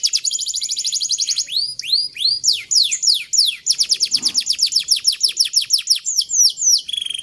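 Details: Canary song played to teach young canaries long rolls: quick high trill, upswept whistled notes, a long series of steep descending chirps and a closing steady tone.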